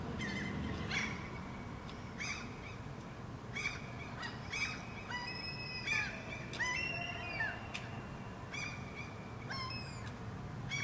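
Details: Pair of Common Gulls in Helsinki, Finland, June 2013, exchanging calls as a dialogue: rapid bursts of sharp nasal mewing notes, often overlapping, with a few longer drawn-out cries midway.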